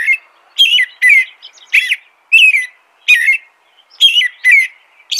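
An American robin sings a steady run of clear, slurred whistled phrases, each rising and falling, about two per second, in a quiet setting.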